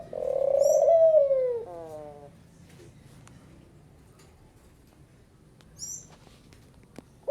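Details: Picazuro pigeon singing one long, low, wavering coo that slides downward into a short falling tail, then quiet with a few high small-bird chirps and the onset of a further coo.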